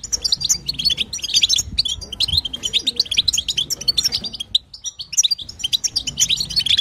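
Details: Female goldfinch batbata, the European goldfinch sound played so a male will sing: dense, high, tinkling twitter in a steady stream, briefly dropping out around five seconds.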